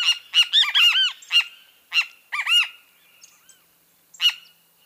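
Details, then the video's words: Great kiskadee (Pitangus sulphuratus) in full voice, a fast run of harsh notes and paired arched nasal notes, a repeat of the phrase, then a single loud note after a short pause. "O CANTO DO BEM-TE-VI (Pitangus sulphuratus)"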